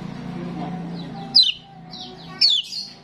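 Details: Starling calling in a recording meant to attract starlings: two loud, sharp whistles slide steeply down about a second apart over a low, steady hum and faint twittering.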